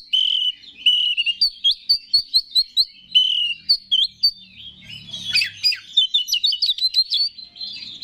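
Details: Oriental magpie-robin (kacer), a contest songbird, singing prolifically as a lure to stir other kacer: long clear whistles, then a run of crisp notes about four per second, twisting phrases and a fast chattering burst near the end.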